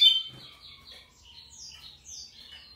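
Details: Lined seedeater, a local bird, singing a loose string of high clear whistled and warbled notes, some rising and some falling, fairly quiet with a soft low rumble beneath.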